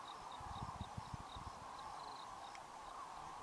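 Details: Common Cranes in their thousands flying off to roost at evening in the winter Rann of Kutch, January 2013; far-off continuous trumpeting chorus with a short run of soft low thuds early on.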